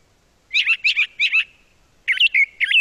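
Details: Brown Thrasher (Toxostoma rufum) song: three quick, rich, warbled phrases, a short pause, then a new set of different phrases; bright and varied, from a bird that sings many different songs, with no other sounds.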